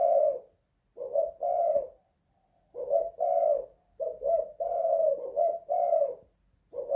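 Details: Spotted dove calling inside a house; low, mellow coos in clustered phrases, two or three short notes then drawn-out coos, repeated steadily with short gaps.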